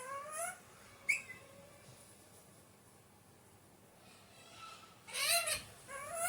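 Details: An Alexandrine parakeet gives two rasping, upward-sweeping squawks near the start and a louder pair toward the end, separated by a quiet stretch with low background noise.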